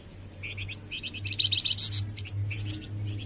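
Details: Flamboyan bird singing, for masteran training and pancingan prompting of caged birds. Short groups of quick high chirps run into a brief louder buzzy flourish midway, then more chirp clusters, over a low steady hum.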